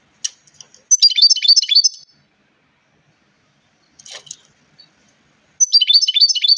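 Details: European goldfinch singing two rapid, tinkling twittered phrases, each about a second long, of quick high liquid notes, separated by a short quieter fragment and a pause; clean, quiet background.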